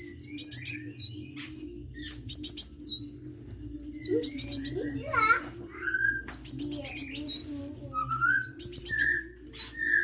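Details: Hummingbird in energetic song, repeating high swooping whistles and short buzzy bursts, with a few lower, fuller slurred notes; a low hum runs throughout.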